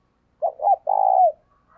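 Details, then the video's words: Spotted dove used as a lure bird, giving its call to attract wild birds: a low three-part coo of two brief notes and then a drawn-out, rolling final note. "Tiếng Chim Cu Mồi THÚC Và GÁY GỌI Bổi, Dùng Kích Bổi Rất Hiệu Quả"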